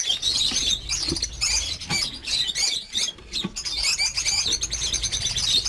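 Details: Lovebirds in a breeding-farm aviary of over 50 birds making a noisy shrill chorus of squeaky chirps and squawks, surging and dipping in waves, broken by a few soft knocks.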